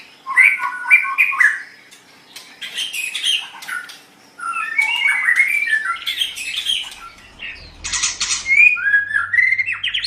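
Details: White-rumped shama song used as a training recording for other songbirds: varied whistled phrases around mid-high pitch mixed with harsh buzzy notes, a short pause, then more rapid whistles and rasping bursts.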